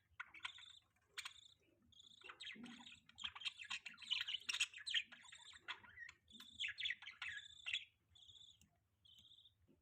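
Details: Budgerigar chirping on a morning in mating season: a busy stream of short high chirps and warbled notes, some rising and some falling, with brief pauses between bursts and a low steady hum underneath.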